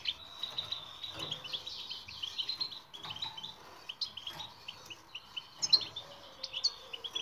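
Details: European goldfinch song used as a training recording to make silent birds sing: a rapid, continuous stream of high twittering and tinkling notes with short buzzy trills, punctuated by brief pauses.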